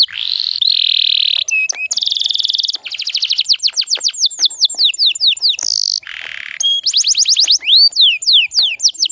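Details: Female canary in breeding condition, used as a lure to stir male canaries into fast, full singing; long buzzy trill held steady, then rapid repeated downslurred whistles, rolling trills and sharp high notes, with no other sounds.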